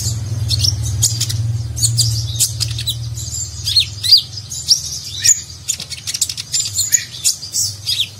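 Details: Konin, the Van Hasselt's sunbird, a nectar-feeding songbird, giving a nagen-style song meant as a model for contest birds; dense, high, scratchy twitters and slurred chirps over a low steady hum.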